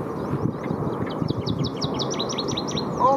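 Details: Northern waterthrush singing heartily along Goose Creek Road, Churchill area IBA: a bright, ringing run of sharp repeated notes quickening into lower slurred chew notes, over an engine-like rumble (a King Air plane) and faint voices.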